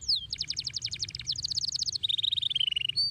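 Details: Canary pouring out continuous rapid trills, first a pulsing rattling roll, then a faster, slightly lower buzzy trill, ending with a clear high whistled note.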